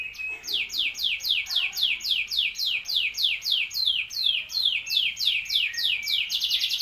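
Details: Canary in full, lively song: a rapid series of sharp, high downward-sweeping notes, about three or four each second, steady and strongly rhythmic throughout.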